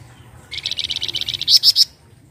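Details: Flamboyan song used as a lure to draw other birds into singing: a rapid, buzzy train of about twelve high, even notes, ending in three louder, sharper, higher notes.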